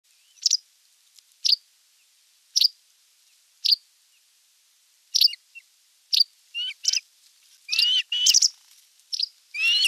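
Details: Osprey at its nest on 27 June 2022, filmed by a live nest camera as a whole fish arrives for dinner; short high chirps spaced about a second apart, then a quicker run of rising whistled calls near the end.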